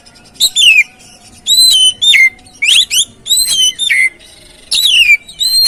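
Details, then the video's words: Song of the oriental magpie-robin, used to get another bird singing: strong whistled notes falling sharply in pitch, some with a rising start, repeated in distinct bursts roughly every half second. "Pancingan Burung Kacer"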